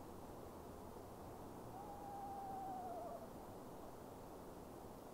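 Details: Eastern screech owl at night, possibly looking for a spring mate, recorded with a Sony A9: a level, soft monotone trill lasting about one and a half seconds, wavering slightly at the end, over steady background hiss.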